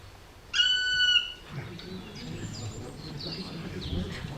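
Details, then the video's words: A black woodpecker, a call often heard from high in forest trees and often mistaken for a raptor, gives one long, plaintive whistled note held over half a second, falling slightly at the end. Faint chirps and a low room murmur follow. "Vous avez reconnu le cri du pic noir."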